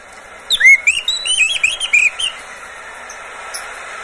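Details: Caged Oriental magpie-robin singing to coax other birds into song: one quick two-second burst of bright, looping whistled notes, rising and falling, followed by faint high chips.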